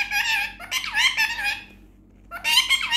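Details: An Indian ringneck (rose-ringed) parrot talks, saying "Mithu Bety" in a high, nasal, squeaky voice: two quick bursts of speech-like phrases separated by a brief pause, in a small quiet room.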